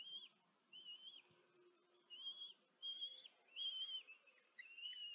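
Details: Nestling common kestrels, four of them, fed by the female in Tiszanagyfalu, Hungary, 14 July 2023: thin, whistled whining calls, each slurring up then dropping, repeated about every half second to second, growing louder and more overlapped.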